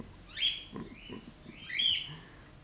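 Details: Pet macaw indoors, playing with its favourite towel, gives two harsh, raspy squawks about one and a half seconds apart, with faint low rustling sounds between them.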